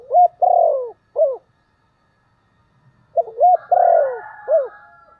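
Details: Decoy spotted dove calling to attract wild doves. Two cooing phrases, each with short rising notes, a long burry middle coo and a falling end note, separated by a two-second silence. A faint second voice overlaps the later phrase.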